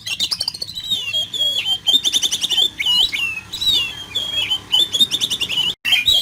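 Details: Rough fill-in song of the oriental magpie-robin, meant to make a kacer sing vigorously: an unbroken stream of high twisting whistles mixed with rapid buzzy, rattling note clusters, with a single brief pause near the end.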